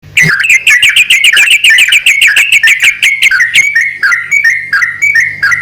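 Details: Male and female yellow-vented bulbul answering each other: rapid chattering notes near one pitch, then slower spaced whistled phrases alternating, with a steady low hum underneath.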